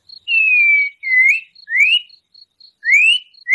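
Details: White-rumped shama song used as a provoking lure: long clear whistles, one gently falling, the others sweeping upward, separated by short pauses, with an even high ticking in the background.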